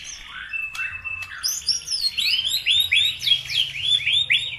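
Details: Lure song for provoking birds: a steady whistled tone, then a run of sharply rising chirps repeated about four times a second, layered with higher descending notes from another voice.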